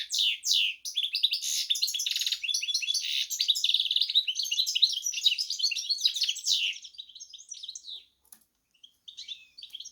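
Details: Goldfinch-canary cross pouring out a long, rich run of rapid chirps and buzzy trills for about seven seconds, fading into a few sparse, thin notes with short pauses.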